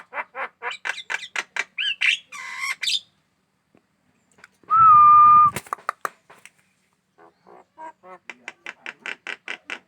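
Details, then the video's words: Eager-singing Javan myna, noted as hand-aggressive, utters rhythmic rasping notes, then a pause and a loud flat steady tone, followed by quieter buzzy repeated notes. "burung jalak kebo gacor dan galak tangan"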